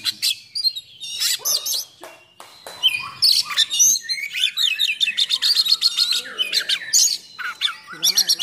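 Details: Oriental magpie-robin in full, aggressive song with rough fill-in phrases, meant to provoke and train other magpie-robins: a dense, varied stream of sharp chips, clicks and quick high whistles with short pauses, continuing almost nonstop.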